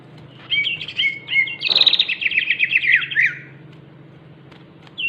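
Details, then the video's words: Cucak ijo, the greater green leafbird, in crewet chatter: a few clear whistled notes, then a loud, dense, rapid string of buzzy repeated notes lasting about two seconds, ending abruptly, with a faint low hum behind. "burung cucak ijo crewet"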